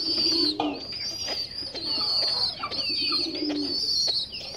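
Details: Lahori/Sirazi pigeons kept with their chicks; low, soft coos rise and fade beneath a steady high whine and scattered chirps.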